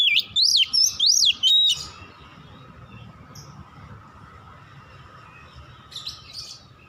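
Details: Oriental magpie-robin song at dusk: four or five loud swooping whistles in under two seconds, followed by a long quiet stretch with low hum and a faint distant note.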